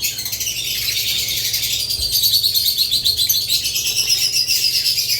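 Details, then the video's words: Budgerigars and lovebirds chirping together: a dense, continuous wash of high twittering and warbling notes from many birds, growing slightly louder in the second half. "Budgerigars lovebirds Chirping Sounds"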